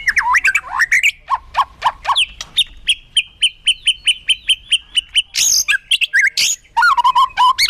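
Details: Lively white-rumped shama song rich in varied fill phrases: looping whistles open into a long, evenly spaced series of sharp high ticks. Then follow harsh bursts and a closing trill of quick downward notes.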